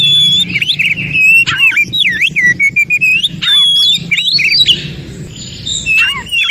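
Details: Oriental magpie-robin recorded in the forest, singing to prompt silent or listless magpie-robins to sing. A rich, varied run of clear whistles, slurred upswept and downswept notes, and short harsh squawks, delivered almost without pause.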